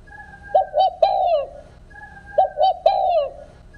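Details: Spotted dove song of the field 'không hậu' type, lacking a final note, meant for trap speakers. Two three-note phrases with short hooked coos then a longer drawn coo, preceded by a thin steady whistle.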